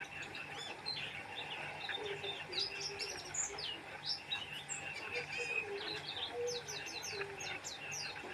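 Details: Oriental white-eye singing vigorously: rapid high chirps and short thin whistled notes in quick irregular bursts, with a steady low hum and faint voices behind.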